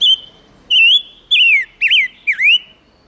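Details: Lure song of a silver-eared mesia meant to draw wild birds and rouse males: five loud, pure whistles about half a second apart, starting level, then sweeping downward and ending in deep V-shaped slurs, against a quiet background.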